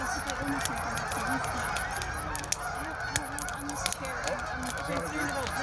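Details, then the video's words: Canada geese giving a series of short, low honks, partly masked by the loud popping and crackling of a fire burning close by. "Crackling fire with Canada geese singing"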